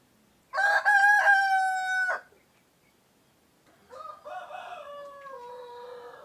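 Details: Male laying-breed rooster crowing, a loud harmonic-rich crow lasting about one and a half seconds with a broken opening and long held tone, followed after a pause by a quieter, softer second rooster crow that falls in pitch.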